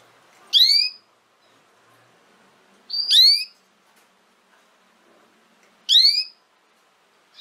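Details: Three sharp, harmonic, downward-sweeping chirps from a female canary, evenly spaced about every two and a half seconds. There is near silence between them.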